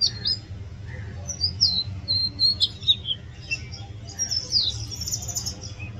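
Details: Oriental magpie-robin singing: widely spaced clear whistles, several downward-slurred, then a scratchier burst and a falling whistle, with a low continuous hum in the background.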